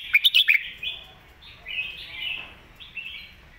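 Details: Red-whiskered bulbul master song for teaching young birds: bright warbled phrases, a quick burst of sharp notes first, then slurred rising and falling whistles.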